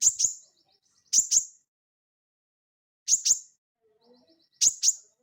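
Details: Crested jay, called sogon, in training recordings for cage birds: loud, snapping high notes in close doubles, repeated about every one and a half seconds, with a faint buzzy trace after some.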